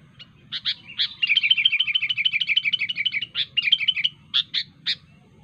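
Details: Wild sooty-headed bulbul singing sharply to call rivals: scattered chirps lead into a long, fast, even series of bubbly repeated notes, about three per second, then broken chirps at the end.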